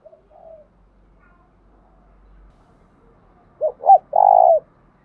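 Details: Tame decoy spotted dove calling: after a quiet stretch with a faint low hum, one loud phrase of two short coos and a long buzzy croo near the end.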